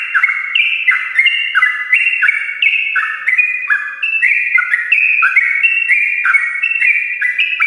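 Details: Morning ropel of a sooty-headed bulbul, a long rapid-fire song meant to prompt lazy birds to sing: continuous bubbling whistled notes tumbling downward in staggered, overlapping steps, several per second, with no pause.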